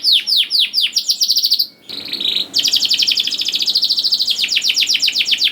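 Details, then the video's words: Canary singing in the 'ngerol' rolling style, used to get young canaries to sing: sweeping notes lead into a trill, a short buzzy phrase after a pause, then a long, rapid, steady trill. "KENARI GACOR DOR NGEDUR NGOTOT CUIT CUIT NGEROL AMPUH PANCINGAN KENARI PAUD"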